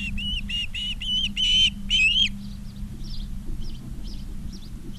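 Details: Osprey calling at its nest in Charlo, Montana, August 20, 2023, afternoon. Loud, strident whistled notes repeat rapidly for two seconds, then soft distant chirps follow. A constant low hum runs underneath.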